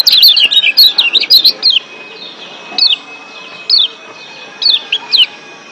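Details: Lombok white-eye, a yellow white-eye from Lombok, excited in breeding condition: a rapid burst of high, sweet, twisting chirps, then single down-slurred high notes spaced about a second apart against a faint steady hum.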